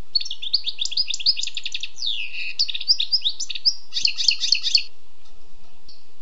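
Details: A wild European goldfinch sings a long varied phrase: rapid tinkling chirps, a slurred dipping whistle, then a dense buzzy trill, with a faint steady hum beneath.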